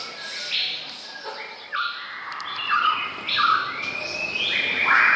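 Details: Male White-rumped Shama recorded on 24 May 2014, giving a loud, varied run of clear whistled notes: flat held tones, quick slurs and sharp upward strokes, rising in strength toward the end, with faint chirps behind.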